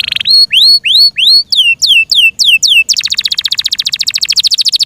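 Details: Yorkshire canary singing: a short buzz, rising upswept whistles, then falling slurred notes, and finally a long, very rapid pulsing trill.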